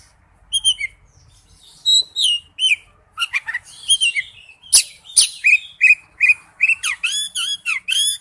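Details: Oriental magpie-robin singing in its wild-type voice, with scattered whistles giving way to a lively run of short rising and falling notes and crisp clicks, repeated quickly near the end.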